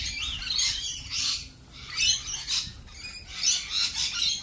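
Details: A chorus of lorikeets gives harsh, high screeches in pulsing clusters about once a second, rising and falling in loudness.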